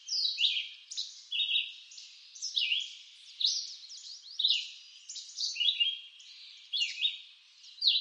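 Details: Red-eyed vireo song from eastern North American woodland, a steady run of brief, husky whistled phrases, some rising and some falling, delivered roughly once per second with short gaps between them.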